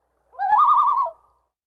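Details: A Common Loon in Minnesota gives a brief tremolo, a quavering, laugh-like distress call held for about a second at a steady mid pitch. No other sounds are heard.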